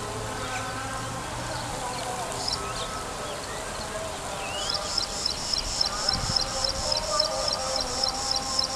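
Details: Graceful prinia in Sharjah. A rapid, regular string of high, sharp notes repeats several times a second through the last half, over steady low background hum.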